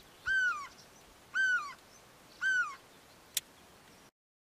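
A great spotted cuckoo gives three harsh, raspy notes that slur downward, about one per second, followed by a single sharp click.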